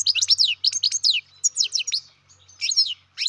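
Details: Baby captive-bred European goldfinch chirping loudly and almost continuously, a fast series of sharp high notes that sweep downward, in clusters of three to four, with a faint low hum beneath.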